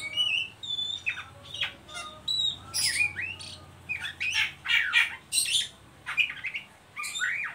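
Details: Oriental magpie-robin in ngeriwik mode, a call used to lure young birds to sing: dense, repeated harsh chatters and squawky bursts with thin high whistles early on, continuing almost without pause throughout.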